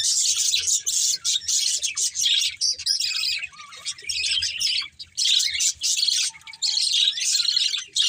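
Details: Colourful budgerigars from a breeding pair's family chatter steadily: high, scratchy, fast-warbled chirps in long runs separated by short silences.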